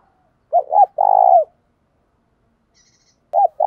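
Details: Spotted dove in the 'đồng pha thúc bổi' calling style: two quick clipped coos and a long, even, held coo, then quiet. A faint high chirp follows before the phrase starts again.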